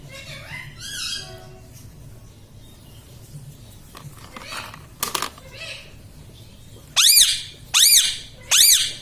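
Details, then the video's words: Talking pet parrot indoors: soft, indistinct chatter at first, then three loud, clipped, arching syllables spaced about a second apart at the end, over faint background hum. "parrot talking mummy"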